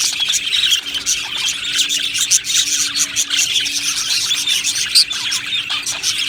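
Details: Cheerful flock of budgerigars in an aviary: an unbroken chorus of high chirps, tweets and scratchy chatter from numerous birds, a few louder notes popping out, a soft hum behind.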